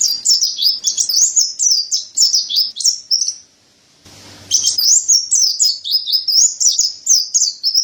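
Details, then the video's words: Energetic song of a mountain white-eye, known as pleci dada putih, recorded as a tutor for songbirds. There are rapid high chirping notes in a steady stream, a short gap with a faint low hum, then the fast twitter continues. "Terapi Burung Pleci Dada Putih Gacor | Masteran Pleci Montanus"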